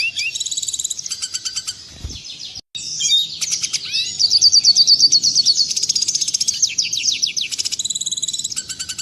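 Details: Red siskin master song for tutoring caged birds, clear and clean: continuous high, fast twittering and buzzy trilled phrases with rapid repeated notes, broken by a short click and a brief silent gap.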